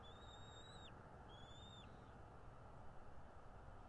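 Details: Bald eagle at a North East Florida nest, 13 February 2022 around 10:10, recorded by a streaming nest cam: two faint, thin, high whistles, each held then sliding abruptly downward, set against constant broadband noise.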